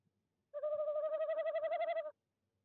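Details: Tawny owl visiting owl nest box 1 at De Mortel on 26 January 2021 calls at 19:33 CET, giving one quavering, hollow, rapidly wavering mid-pitched hoot of about 1.5 seconds, with quiet all around.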